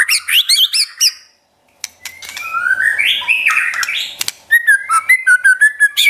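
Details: White-rumped shama song for provoking and training a pet shama: fast high chattering notes, a pause, then a buzzy warbled phrase and a run of short repeated whistles near the end.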